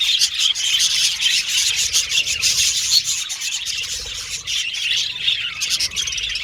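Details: Several budgerigars chirp and warble nonstop, high rapid twitters and grating chatter layered together at an even, busy level.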